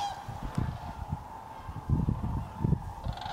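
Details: A flock of overwintering Sandhill Cranes standing on the ground at Hiwassee Wildlife Refuge, Tennessee, on the last day of 2023: continuous rattling bugles from many birds, with a louder burst near the end over low wind noise.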